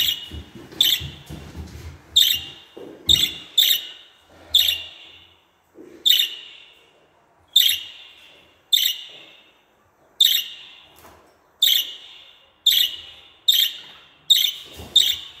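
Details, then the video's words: A budgerigar gives sharp, high chirping calls, about one every second, each a quick bright burst with a short buzzy tail. "MUHABBET KUŞU SESİ / MUHABBET KUŞU ÇAĞIRMA SESİ"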